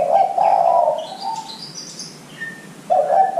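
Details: Spotted dove cooing used as a lure to prompt young doves to start calling: a strong run of low husky coos, a pause filled with faint high bird chirps, then another loud coo phrase.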